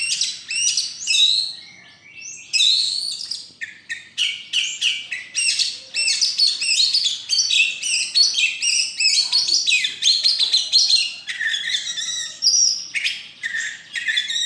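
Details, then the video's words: White-rumped shama, first place in a bird song festival and contest on 26 November 2023, pouring out a long varied song of rapid chirps, high whistles and buzzy trills with brief breaks. "Kacer Juara 1 Festival dan Lomba Burung 26 Nov 2023 !"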